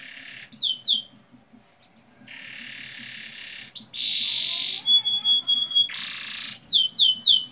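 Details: Canary song used as a lure recording for young canaries to start singing: downward-sweeping whistled notes alternate with buzzy rattling trills and a few pure high tones, with gaps of quiet between phrases.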